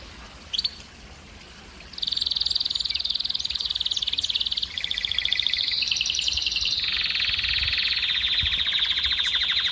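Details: Male-style canary song aimed at exciting hens to breed: after a short pause, a loud high trill rolls continuously, changing to a doubled, lower phrase and then to a dense, buzzy tour that runs to the end.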